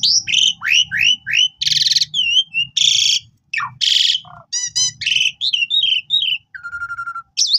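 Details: Energetic Asian pied starling song, played as a master for new birds: varied chattering downslurs, harsh buzzy squawks, wavering whistles, stacked rapid clicks and a long flat whistle near the end.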